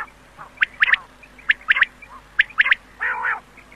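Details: An old 2007 quail recording intended for night, with short, sharp notes grouped in twos and threes about once a second and a low, rough murmur near the end.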